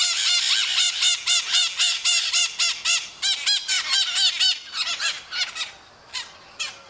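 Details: Maritaca parrots calling in a flock, Brazil: a rapid series of loud, harsh screeching notes, about four per second, stacked and ringing, thinning out and spacing apart toward the end.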